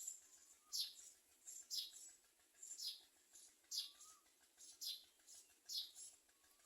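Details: Common myna bringing nestlings as food for its young; soft, downward-sweeping chirps roughly once a second, with a faint rising whistle heard a few times in the background.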